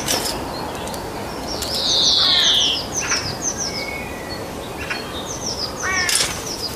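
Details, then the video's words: Common starling song: a jumble of thin whistles, clicks and a loud buzzy burst, with rattling notes scattered over steady background hiss. "Common Starling Songbirds, Songs Birds"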